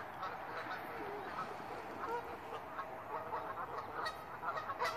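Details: Flock of geese in a preserve, early spring 2017, in fine weather: dense overlapping honks throughout, growing louder and more emphatic toward the end, with some clearer individual calls rising above the crowd.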